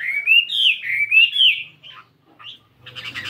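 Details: Fighting Chinese hwamei weighing 72 grams, singing its varied-voice song during morning voice practice: bright whistled phrases rising and falling, slurred into one another for under two seconds, then a pause, a brief note and a burst of harsher chatter.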